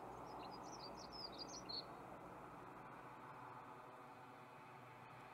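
A Dunnock gives one quick, high, thin warbling phrase of jingling notes lasting under two seconds, over a steady roar of traffic or wind.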